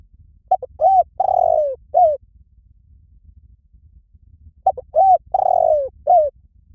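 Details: Spotted dove cooing in the 'liu tan' style, used as a lure so captive doves learn to coo back: two phrases about four seconds apart, each with quick short notes, a long falling coo and a final brief coo, on a quiet background.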